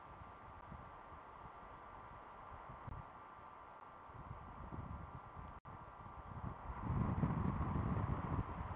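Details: Steady wind and rustling noise at a nest, growing louder and lower toward the end, with no calls.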